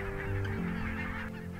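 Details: Barnacle geese, a large flock at the Frisian coast near Dornumersiel harbour in late winter at high tide, give a continuous chorus of short, overlapping yapping honks, a steady murmur with no pause.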